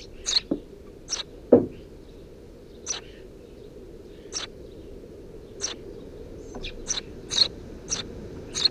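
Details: Three Eurasian tree sparrow nestlings beneath a house roof, 2 June 2017, chirp in short sharp notes, sparse at first then quicker toward the end, with a dull knock early on and low background hum.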